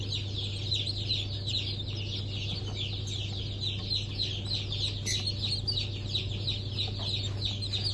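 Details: Many newly hatched chicks from a 23 March 2024 hatch of Sultan, Türken, Australorp and Sussex breeds chirp continuously, high thin descending peeps packed tightly together, with a steady deep hum underneath.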